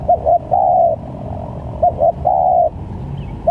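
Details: Spotted dove cooing, used as a trapping lure: two phrases, each a quick pair of short notes then a long, even coo, with another phrase just starting at the close; low background rumble.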